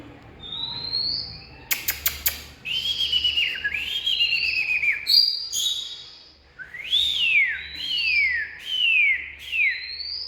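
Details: Oriental magpie-robin song: a rising whistle, a few sharp clicks, then series of downward-slurred whistles and a run of repeated swooping notes rising then falling, about one per second.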